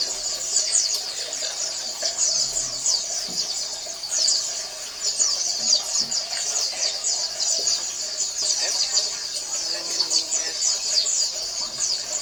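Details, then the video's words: Oriental white-eye colony chorus for stimulating silent males: a long, dense stream of high-pitched twittering and fast, sharply falling chirps from many birds, swelling and easing in loudness. "SUARA PLECI KOLONI AMPUH MERANGSANG PLECI MALES BUNYI"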